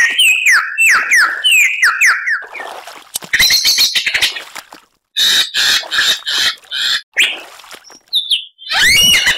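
A Superb Lyrebird sings a loud, varied medley: repeated falling whistles, harsh buzzy bursts, and rapid rattling notes in quick succession.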